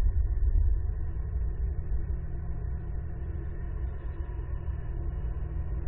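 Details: Steady low rumble with a dull hum and faint tones, and no animal calls.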